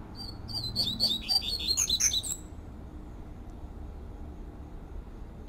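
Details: Rusty-collared seedeater singing outdoors, the fluted "tui tui" style: about two seconds of rapid bright whistled notes, climbing toward a high finish, followed by quiet low background hum.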